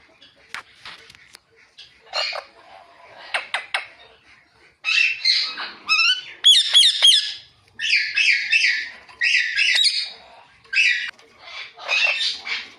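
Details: Ringneck parrot chirping naturally. A few soft, scattered notes open, then loud raspy chirps and squeaky screeches arrive in short pulsing bursts, roughly forty a minute, continuing to the end.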